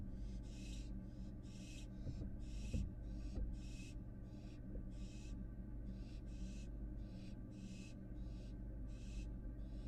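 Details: Fledgling American barn owl back inside its Florida nest box after fledging, captured by a live nest camera: a long series of about fourteen harsh, breathy hissing bursts, each roughly half a second, over a steady low electrical hum.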